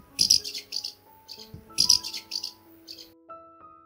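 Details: House martins in the UK give dry, buzzy chirrups in short twittering bursts, two clusters about a second and a half apart, over soft sustained background music.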